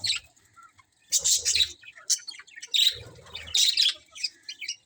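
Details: Colourful budgerigars chirping in a colony: sharp squeaky chirps and harsh squawky notes in clustered bursts with short quiet gaps, a few low thumps beneath.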